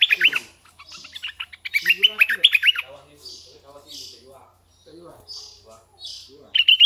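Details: Decoy red-eyed bulbul with bubbling song phrases at the start and middle, mixed with lower chattering calls and breathy hisses, ending with a brief bright burst.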